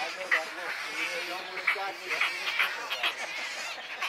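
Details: Wood Stork chicks at Wakodahatchee Wetland, Florida, give a continuous nasal, braying chatter, several voices overlapping in rapid harsh bursts with no pause.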